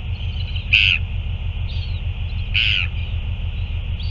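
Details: Northern royal albatross at a feeding, 9 February 2024: two strong, rasping, high squeals nearly two seconds apart, with faint thin whines between them, over a constant deep wind noise.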